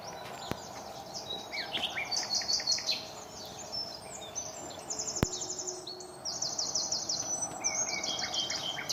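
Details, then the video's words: Common nightingale song in rich, varied phrases: fast runs of repeated high notes, rapid trills and clear whistles, over a steady background hiss with two sharp clicks. "Bird Sound ( Nightingale)"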